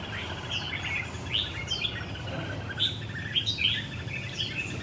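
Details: Red-whiskered bulbul in a square cage delivering rồ ché song: short, sharp whistled phrases with quick downward slurs, repeated several times in under five seconds against a constant low hum.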